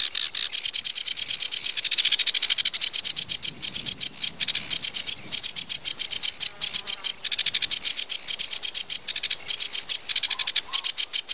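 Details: Long sedge warbler song: dense, rapid rattling chatter of scratchy notes, varying in speed, with brief pauses and a few short whistled notes near the end.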